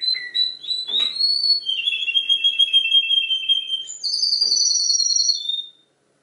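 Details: Canary mimicking other birds: quick varied whistled notes, a rising sweep, a long steady warbling tone in the middle, then a sudden higher sustained whistle that ends in a falling note before silence.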